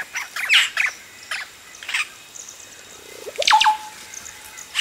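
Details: Close-up recording of Yellow-rumped cacique chicks calling as adults arrive at the nest: scattered harsh, raspy bursts, then a sharp swooping note followed by a clustered run of scratchy calls near the end.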